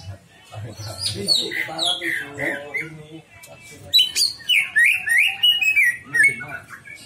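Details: Greater green leafbird delivering a lively song of quick descending whistles and chirps, then a rapid series of bright rising and falling whistled notes, varied and energetic throughout.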